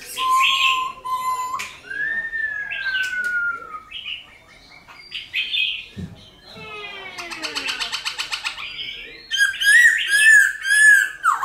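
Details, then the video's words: A silver-eared laughingthrush sings a loud, varied wild-type song of steady and falling whistles, a fast buzzy rattle, then bright, rolling warbled phrases. "Khướu Hót giọng rừng kích khướu bổi,luyện khướu bổi hót nhanh căng lửa"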